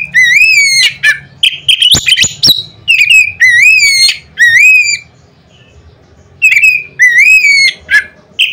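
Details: Loud song of a white-rumped shama, used to provoke other birds of its kind: rapid runs of ringing whistled notes that swoop up and down, with sharp clicks, a pause of about two seconds, then more whistled phrases.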